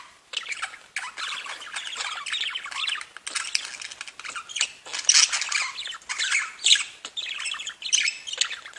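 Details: Group of domestic budgerigars singing: a continuous, gravelly twittering chatter of fast clicks and squeaky notes, with louder bursts of overlapping warbling toward the end.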